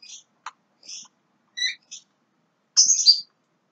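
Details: Young Javan myna uttering a quick mix of short whistles, clicks and chirps, ending in a louder harsh, scratchy phrase.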